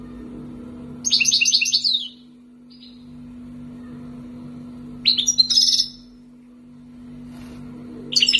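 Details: Wild-caught European goldfinch raised in captivity for two years, Algeria, sings two bright bursts of rapid twittering, tinkling and buzzy phrases about a second long, separated by a pause, over a steady low electrical hum.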